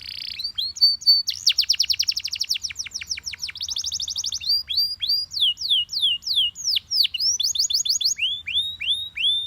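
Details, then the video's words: High, energetic singing from a yellow Belgian canary, rapid descending trills giving way to a brief rattle, then spaced falling whistles and a closing series of rising-falling slurred notes. "The Most Powerfull Yellow Belgian Canary Singing"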